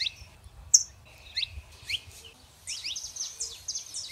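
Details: Saffron finch, male and female, giving scattered high chirps and short downslurred notes, then a quicker run of bright, sharp notes near the end.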